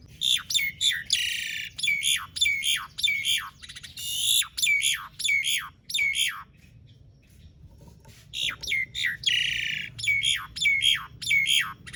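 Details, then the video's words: Asian pied starling in long rolling song, played to prompt silent starlings to sing: rapid, insistent descending whistles repeated about every half second, with harsh buzzy passages and a brief pause midway before the series resumes. "Jalak Suren Gacor Dor Ngerol Panjang Ampuh Buat Pancingan Jalak Macet Agar Bunyi"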